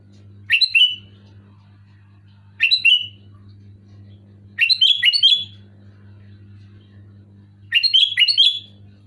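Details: Sooty-headed bulbul giving loud, clear, short bubbly phrases of quick notes with a sweet whistled ending, repeated about every two seconds, with longer doubled phrases later and a low hum throughout.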